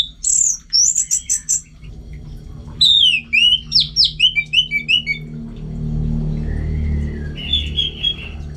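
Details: Orange-headed thrush singing at home, with loud bursts: a high repeated trilled phrase, then a fast run of sharp, slurred whistles falling in pitch, followed by quieter warbled notes.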